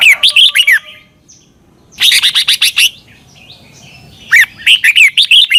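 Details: A Red-whiskered bulbul in Thailand, recorded as a training song for young birds to copy, sings short bursts of bright, bubbly whistled notes, each phrase a quick run of five or six chirps, separated by brief pauses.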